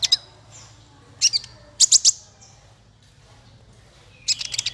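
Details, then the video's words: Sparse bursts of shrill, clustered chips from a small bird, masteran tutor song for fighter birds, separated by quiet stretches over a low steady background hum. "Masteran paling merdu untuk burung faigter kecil"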